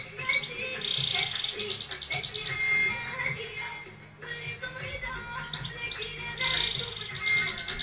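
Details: European goldfinch with a very beautiful voice, singing a dense, fast twittering song broken by two buzzy, drawn-out notes, with rapid chattering runs between them.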